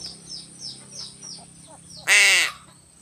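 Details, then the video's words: Single loud harsh caw from a crow being fed fish, about half a second long, following a run of faint descending chirps from small birds, with a steady background hum. "BURUNG GAGAK"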